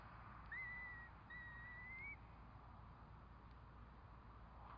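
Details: Curlew calling at the time its four chicks hatch: two clear whistled notes, each about a second long, level then rising slightly at the end. A low steady hum runs underneath.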